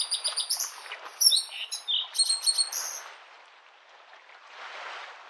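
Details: Bluethroat song by a lake in spring: a burst of high metallic twitters, whistled slurs and buzzy rattles lasting three seconds, then only the soft rush of waves.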